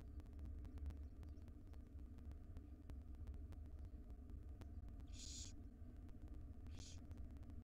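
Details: After a quiet stretch of low hum, two quick harsh hisses from wild barn owl chicks, five siblings in a nest box begging while their mother brings breakfast.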